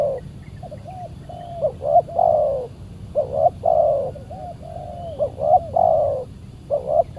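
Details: Spotted dove, a very fierce and aggressive wild bird answering a decoy during Saturday trapping. Hollow, mid-pitched coos come in short two- and three-note phrases, each ending in a drawn, slightly falling note, repeated steadily through the recording.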